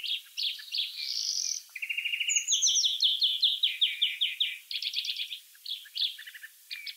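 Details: Wild European greenfinch singing: fast twittering phrases and buzzy rattling trills at different pitches run together almost without pause, ending in short chirps.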